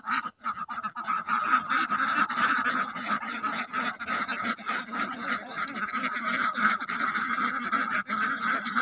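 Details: Many ducks and drakes quacking nonstop, producing a thick, raspy, honk-like chatter with rapid irregular bursts layered into one steady roar, followed by a man's voice.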